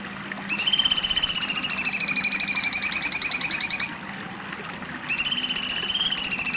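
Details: Cucak cungkok singing sharp besetan phrases: a buzzy, rapidly pulsed trill lasting over three seconds, a pause, then another similar trill.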